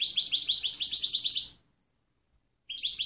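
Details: Goldfinch clean song recording meant to teach other birds: a rapid, silvery twittering run of repeated notes with a thin ringing overtone, a brief silence, then the twitter starts again.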